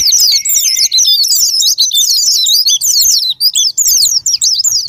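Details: Japanese white-eye used as a sparring-partner lure to set off singing: shrill, rapid warbling twitters tumbling together in an unbroken stream, with a brief steady whistle near the start and short gaps toward the end.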